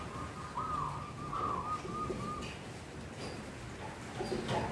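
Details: A wild zebra dove female in breeding condition joins a sunning local male in cooing; a brief string of soft, level coo notes near the start, then faint background noise and a few distant clicks.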